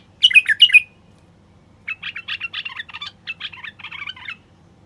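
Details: <caption 5>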